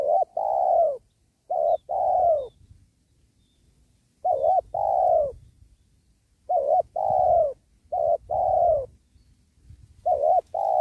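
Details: Spotted dove heard while wild doves are being trapped near a sacred tree. About six loud two-part coos, each a quick wavering note and a drawn-out lower coo, repeat with uneven pauses over a quiet background.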